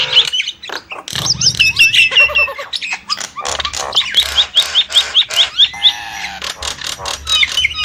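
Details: Nias hill myna song mixing raspy squawks with a neat series of about eight quick upslurred whistles at a steady pace, followed by more harsh and whistled notes.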